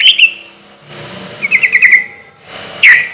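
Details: Sooty-headed bulbul in loud, relaxed-rhythm song, used as a lure so other bulbuls answer quickly: three short bubbly, warbling phrases, the middle one a quick run of liquid notes, separated by quiet gaps.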